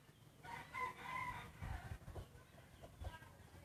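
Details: Breeding rooster in a crowing contest crows faintly for about a second, a hoarse, wavering call heard through heavy low rumble and handling noise, with a few short thumps after.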